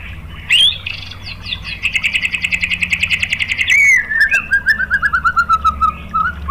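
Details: Lure song of a white-rumped shama meant to provoke rival shamas: whistled upslurs, then a dense rapid chattering trill, followed by a descending series of sweet, quickening notes.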